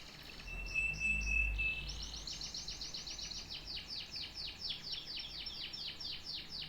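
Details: Canary song starting with a steady pure whistled note and a fast rattle above it, then a long even series of short falling chirps, roughly four per second, with a soft low thump early on.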